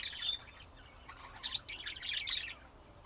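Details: Budgerigar chatter from Texas, USA: a squeaky, warbling sequence of bright chirps and trills, fairly soft and continuous, rising into a busier cluster of notes near the end.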